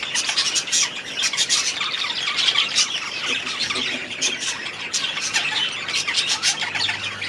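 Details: Budgerigars kept in an aviary produce a steady wash of high squeaky chatter and harsh little squawks, many birds calling at once, over a faint low hum.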